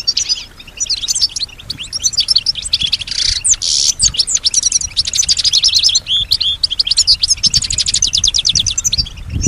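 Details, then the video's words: Shrill, tumbling twitters and rattling trills from a female European goldfinch that copies sounds around her, including other birds' calls and human whispers, delivered in a near-continuous high stream. "Solutions to keep your goldfinch healthy and singing with strong stimulation"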